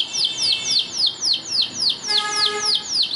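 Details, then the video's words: Slow series of clear downward-sweeping whistles, about three per second, from a Belgian canary training song meant to get canaries singing, with a faint steady tone in the background partway through. "CANTO PARA ESTIMULAR CANÁRIO BELGA A CANTAR - Canto de Canário Belga"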